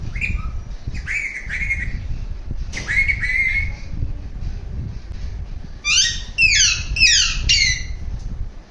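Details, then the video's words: Alexandrine parakeet giving a mix of different sounds: several drawn-out nasal squawks, then a rapid run of four loud, sharply falling harsh shrieks; low rumbling background noise throughout. "Alexander Parrot Making different sounds."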